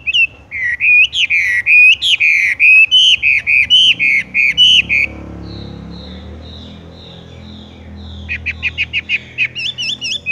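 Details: Horsfield's bush lark (wambie) singing in the tung roll style: a fast run of loud whistled, slightly upslurred notes, about six per second, for five seconds, then faint high notes and a brief buzzy trill near the end.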